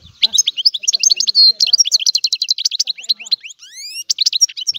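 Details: European goldfinch singing: a dense, fast twittering stream of high tinkling notes and short trills, with a few rising whistled sweeps near the end.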